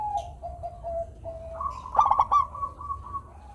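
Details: Singing local zebra dove, meant to stir lazy doves into song: a run of soft, steady coos leads into one loud, rapid, stuttering burst of cooing notes, then fades back to gentle cooing.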